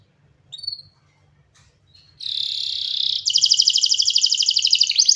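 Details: After a few faint chirps and a quiet pause, a canary bursts into a steady high buzzing trill, then switches to a louder, faster and brighter rolling trill, with a low hum in the background.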